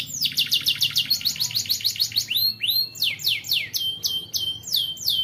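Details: Song of a young canary played to train other canaries to sing: a rapid ticking trill for about two seconds, then a series of high sweeping slurred whistles repeated in quick succession.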